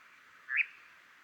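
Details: European nightjar, probably a female (no churring, lacking white wing tips), gives one short, sharp, slightly rising flight call while hunting insects over Hazeley Heath heathland at dusk in summer, over a steady high hiss.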